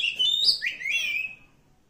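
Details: Forest-dwelling wild oriental magpie-robin delivering a short phrase of bright whistles and slurred notes that fades out.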